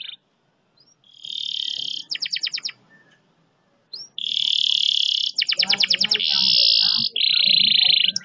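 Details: Canary singing long speed rolls, a tutor song to coax quiet canaries into song: sustained high buzzy trills alternating with rapid staccato note bursts, two long phrases separated by a pause, faint low background noise.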